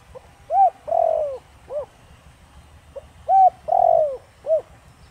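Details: Spotted dove giving its Thổ Đồng voice to draw a reaction from wild doves: two clear, low phrases, each a quick coo, a swelling falling croo and a short upturned coo, with faint background hum.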